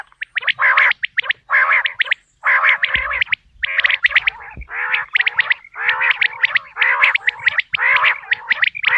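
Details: Quail voices recorded for hunting, natural and clear: dense rasping bursts mixed with rapid crisp clicks, repeated in irregular clusters almost without pause.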